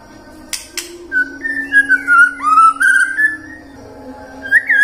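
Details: Shama song from murai batu lure audio for prompting morning, midday and afternoon singing: soft clicks, then varied whistles, a downward swoop and a short rising ending over a low background drone.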